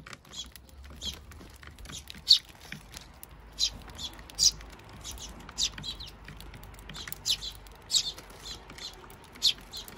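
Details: Eurasian tree sparrows, adults with chicks, feeding at a bird feeder on 7 June 2023: short bright chirps repeated about once a second, sometimes in quick pairs, over a soft low hum.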